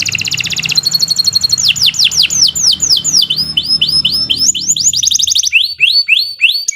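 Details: Domestic canary singing a long, loud tutor song for training other birds: a rapid buzzy trill, then a chain of fast sweeping downslurred notes repeated about four times a second, ending in bouncy hooked phrases, with faint low hum beneath.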